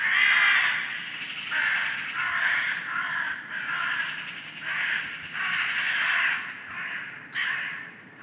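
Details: Crows calling loudly in the early morning, a flock giving rough, drawn-out caws that overlap and swell in waves, with a soft background rumble between calls.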